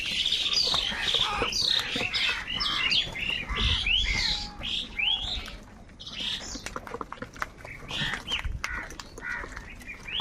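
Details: Angry crows fighting for food: dense bursts of harsh, rasping caws and squawks tumbling over one another, briefly quieter midway before picking up again.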